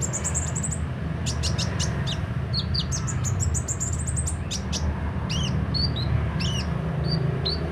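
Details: Sunbird singing vigorously with its beak open: a quick run of very high, thin chirps and short rising sweeps in bursts, over a steady low hum.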